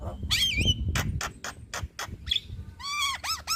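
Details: Javan myna (jalak kebo) kept in a cage, singing for a master recording to draw other birds into song: a wavering whistle, a run of dry clicks, then repeated arched whistled notes, with low rumbling background.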